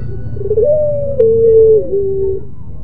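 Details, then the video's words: Barbary dove of the pelung type, its song described as moaning and melodious: a long, steady low coo that holds level, drops a step and then holds again, with a faint hum underneath. "SUARA MERINTIH BURUNG PUTER PELUNG !!! TANGISAN SI PELUNG ll SUARA BURUNG PUTER MERDU"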